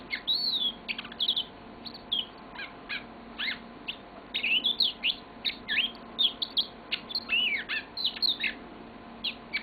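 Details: Pet yellow-fronted canary delivering a lengthy, lively song of crisp chirps, quick trills and up-and-down whistles in close succession.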